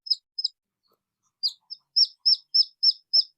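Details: Red junglefowl chick crying: two scattered high peeps, about a second of quiet, then a regular string of sharp descending peeps roughly three per second.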